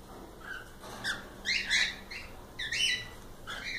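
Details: Chattering cockatiels produce loud, rich squawky chirps that cluster in bursts, with harmonic notes rising and falling, under a faint steady low drone.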